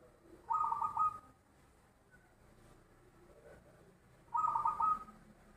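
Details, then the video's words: Zebra dove with a big voice: two separate loud phrases of rapid, rolling coo notes, each lasting under a second, separated by about three and a half seconds of quiet. "perkutut suara besar"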